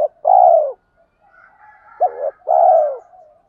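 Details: Spotted dove lure call in the 'thúc' style, used to stir up wild doves: two loud, low, drawn-out coos with a brief doubled note between them and faint softer cooing behind.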